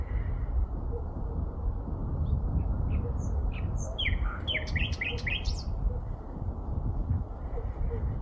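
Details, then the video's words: Sparrow chirps: short, bright notes that gather into a quick rattling burst midway, over a steady low rumble of background noise. "Free sparrow Sound"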